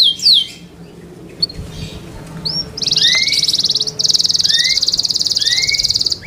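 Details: Caged Yorkshire canary singing for competition: scattered rising chirps, then a long rapid buzzy trill held for about three seconds, broken by short upslurred notes.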